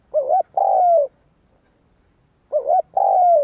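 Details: Spotted dove cooing to lure wild doves: two phrases about two and a half seconds apart, each a quick wavering double note followed by a long, sustained, slowly falling coo; quiet background.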